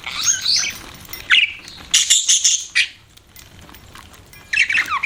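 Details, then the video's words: Budgerigars chatter in short bursts of buzzy, rasping warbles and squeaks, separated by a quieter stretch of faint noise. "BUDGIES CHIRPING SOUND"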